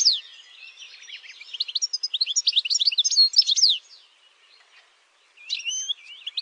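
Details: Goldfinch, European, campero song: soft warbling builds into a quick run of sharp, high twittering notes, falls silent for over a second, then resumes with a short burst.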